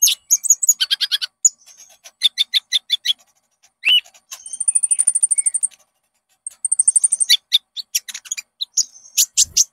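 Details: Konin song played to make caged birds sing: varied high chips, rattles and long even trills of piercing notes, with fast chattering runs between pauses.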